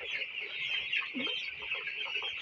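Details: Broiler chicks kept through winter: constant high-pitched peeping from many birds at once, with brief lower chirps and soft murmurs scattered under the chorus.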